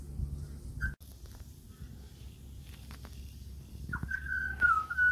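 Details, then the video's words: Australian pied butcherbird at a house it often visits: one short whistle, a long pause with faint background noise, then a sustained clear whistled phrase that wavers and slides downward. "LISTEN TO THE BEAUTIFUL CALL OF THE AUSTRALIAN PIED BUTCHER BIRD"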